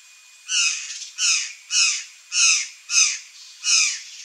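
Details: Buff-throated saltator (Saltator maximus) visiting backyard fruit trees gives six harsh, raspy squawks, each under half a second and spaced about two-thirds of a second apart, with little else heard.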